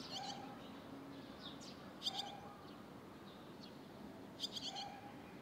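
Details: Young barn swallows waiting for food together in Sendai, June 2021; sharp high chirps in short stacked bursts, clusters near two and four and a half seconds, alongside a faint lower whistled tone and steady hum.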